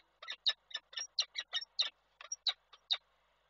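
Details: Male peregrine falcon arriving at the nest with food in Koszalin, Poland, 7 April 2023, while the female declines it: a run of harsh, clipped notes, roughly four per second, over quiet background.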